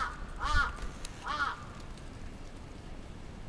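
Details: Attacking crow in Atsubetsu Ward, Sapporo, June 2017, giving two harsh, hoarse caws about a second apart near the start, followed by low background rumble.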